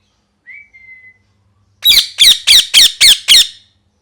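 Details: A parrot gives a short, thin, level whistle, pauses, then bursts into six harsh, regularly spaced squawks, roughly three per second.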